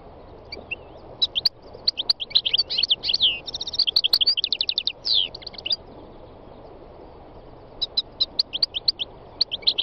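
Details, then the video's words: Wild European goldfinch (chardonneret, khalwi) singing: rapid twittering phrases of bright, tinkling chirps and buzzy trills, a dense run mid-clip, then short chirp bursts after a pause, with faint low background hum. "chant chardonneret sauvage khalwi goldfinch تغريد مقنين خلوي"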